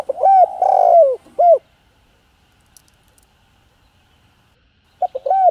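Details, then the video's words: One full spotted dove phrase, a loud drawn-out falling coo followed by a hooked note, then a silence of over three seconds before a new phrase begins. The cooing is used to rouse male doves. "Tiếng Cu Gáy Giọng Hạp BổI ĐỦ BÀI [ GÁY GỌI,THÚC,GÙ ]Kích Bổi Nhanh Nổi"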